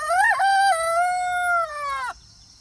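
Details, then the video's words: One loud crow from a free-range rooster kept on a pastured off-grid homestead: a brief rising opening, then a sustained strong note lasting about two seconds before it drops away abruptly. "funny rooster chicken crowing sound effect"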